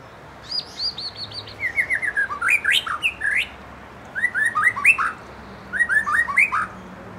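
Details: Young wild-caught white-rumped shama and fledgling, provoked to sing: bursts of rich, varied whistled phrases with rapid descending slurred notes and sharp high chips, delivered in three separate bouts.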